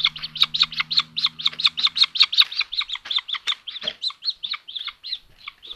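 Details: Nestling common buzzards at a nest in Tiszalök, Hungary, 29 May 2022, as a younger sister attacks her brother: a loud, rapid, insistent run of piercing high squeals, slightly slowing toward the end.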